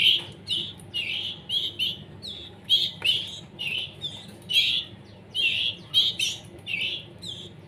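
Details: Hand-fed canary chicks still on their way to independence beg with continuous, insistent buzzy chirps, fast and uneven, several overlapping in places.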